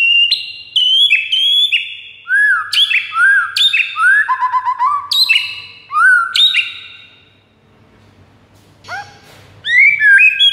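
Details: White-rumped shama singing in a master recording meant to lure rivals: a fast sequence of loud, varied whistles and rising slurs, a quiet gap near the end, then renewed bright whistling.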